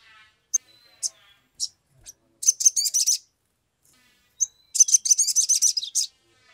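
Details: Sumatran leafbird, an agitated singer, in a recording used to coax birds into song. Single high chirps lead into fast, rhythmic runs of sharp notes, repeated twice.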